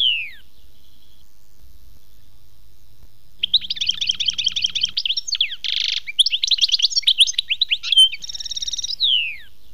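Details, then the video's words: European goldfinch song labelled khmis melyana: a falling slur, a pause, then a long, rapid twittering passage with harsh buzzy rattles and a final downward sweep. "chant chardonneret khmis melyana"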